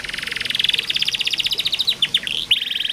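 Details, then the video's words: Canary song used as training to coax a reluctant bird into singing: a fast continuous rattling trill of rapid repeated notes, shifting into quicker sweeping chirps near the end, bright and high-pitched throughout. "KENARI malas bunyi, Terapi burung macet/susah bunyi masteran kenari"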